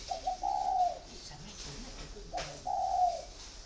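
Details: Two clear mellow coos from a caged spotted dove held four years, each a quick soft lead note sliding into a longer steady hoot, with a quiet pause between them.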